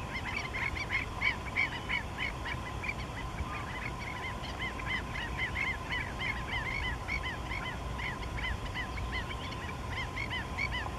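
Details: Four Black-necked Stilts in courtship display at a salt pond in southern Honduras, 29 April 2013, give sharp, yapping kek notes, overlapping in a fast, steady chatter over low wind rumble.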